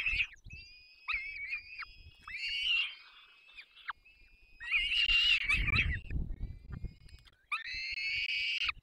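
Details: Young peregrine falcons begging at a nest in the Barycz Valley on 3 May 2024 during a family feeding by the parents: thin, wavering whining cries, then a burst of harsher screeching with rustling and bumping below.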